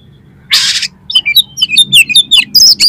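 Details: Oriental magpie-robin singing actively, with mimicked fill material, played to trigger competition birds. It opens with a loud, harsh, rasping burst, then a dense run of high, sharp, whistled and chipping notes. A faint low hum sits beneath.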